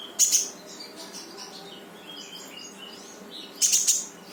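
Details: Brown-throated sunbird in active 'gacor' song, used to set off a silent bird: a loud high sharp burst at the start, softer scattered twitters through the middle, then another strident burst near the end.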